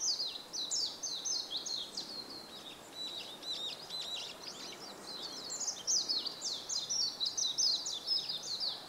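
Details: A warbling white-eye sings from the top of a bamboo grove on 5 April 2014, pouring out a long, rapid chatter of high, thin, sweeping notes that grows louder toward the end, with light ambient noise behind.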